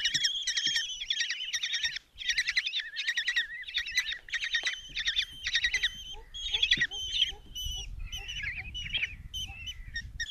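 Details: Five Common kestrel chicks in a nest box at Tiszalök, Hungary, on 27 June 2024, beg in a shrill, fast, trilling chatter as their mother brings a mouse for breakfast. Low rustling and thumps join toward the end.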